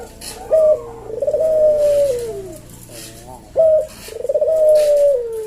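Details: Two full 'kuk deruk' phrases from a Javanese puter dove in slow senggang style. Each has a brief high note, then a rolling, pulsed coo that dips away, in a quiet room.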